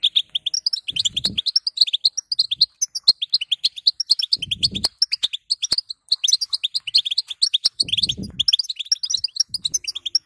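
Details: Female European goldfinch calling to stimulate a male to sing: a rapid, continuous stream of short high twittering and tinkling notes, with soft low thumps near one, four and a half and eight seconds.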